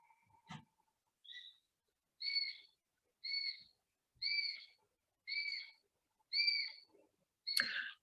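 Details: Eurasian sparrowhawk begging call, typical of woodlands with breeding sparrowhawks in July and August: thin, high, whining squeals about once a second, six in a row, with a couple of sharp clicks at the start and end.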